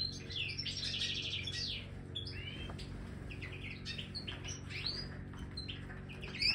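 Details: Aviary-kept Major goldfinch starting with a dense burst of twittering and slurred whistles, then scattered softer chirps over a low steady hum; wing flutter near the end.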